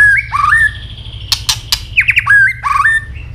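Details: Tail-snapping white-rumped shama in fighting song: swooping whistled phrases, then a cluster of loud broadband clicks, then more downward-sweeping whistles and a final looping phrase.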